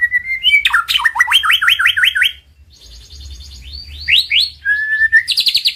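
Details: White-rumped shama, a champion male, in a master recording used to rouse silent birds to sing: a long rising whistle, then a fast run of down-slurred notes, buzzy trills and a clear steady whistle, with a faint low hum.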